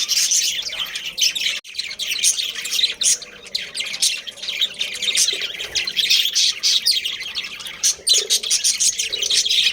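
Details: Loud, constant twittering and squawking of many budgerigars in a breeding colony kept as a family group, the chorus rising and falling without pause for nearly ten seconds.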